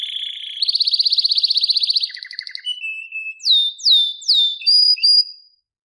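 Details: Canary singing a varied song: a long rapid trill, a lower buzzy rattle, then a series of sharp downward-sweeping whistled notes and short steady whistles.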